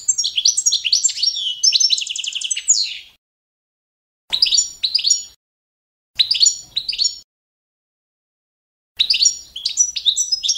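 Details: Balkan goldfinch, Carduelis carduelis balcanica, singing a competition-standard song used for training birds: a long, rapid, tinkling twitter with bright metallic notes, then three shorter bursts broken by clean silences.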